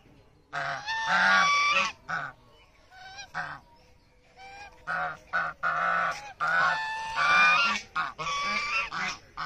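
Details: In a field in Bangladesh, greylag geese give loud, harsh, nasal honks in overlapping bursts of about a second, several birds calling together with short quiet gaps between.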